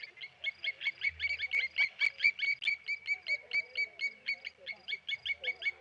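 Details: Blacksmith lapwings harass a diving Tawny eagle at an Okaukuejo waterhole, their bright, anvil-like clinking calls tumbling out quickly and overlapping, many notes in six seconds, with a brief low rumble in the background.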